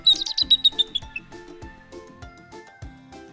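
Bald eagle giving a quick run of high, thin piping chirps that drop slightly in pitch over about a second, then gentle background music takes over.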